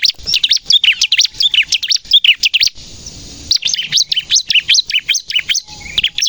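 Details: Bar-winged prinia singing in the 'gacor nembak' style, used for bird trapping lures and to stimulate captive birds: two bursts of fast, shrill, high chirps separated by a short silence near the middle.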